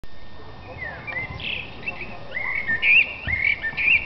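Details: A thrush in a tree in April 2005 gives clear, whistled notes, several rising and falling, in short phrases roughly every half second, over a faint low background rumble.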